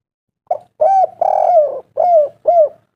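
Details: Local spotted dove lure call meant to make other doves sing: a full cooing phrase of a short opening note, an arched hoot, a long rolling purr, then two clear downslurred coos, all low and mellow.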